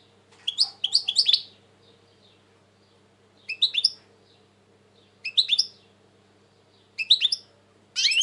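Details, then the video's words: European goldfinch singing in 2020, said to be very tense lately: clustered bursts of sharp liquid twitters, each group lasting under a second and repeated roughly every one and a half seconds, with a louder burst at the end. "Saka kuşu ötüm"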